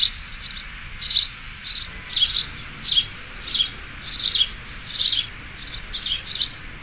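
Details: Sparrow chirping in a steady loose rhythm: short, high, down-slurred notes about twice a second, sometimes doubled, above low background noise.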